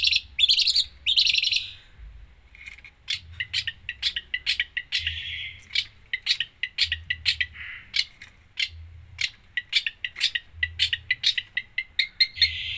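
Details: Long-tailed shrike in lively full isian song, opening with harsh buzzy notes, then a long series of sharp clicking chirps about three per second, with short buzzes between, over a soft low hum.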